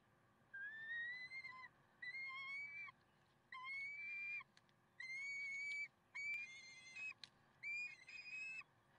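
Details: Peregrine falcons at Karlsruhe, 30 May 2010, 6:56: drawn-out, slightly rising nasal wails with rich overtones, given in bursts of about a second, roughly every one to one and a half seconds, with a steady low hum behind.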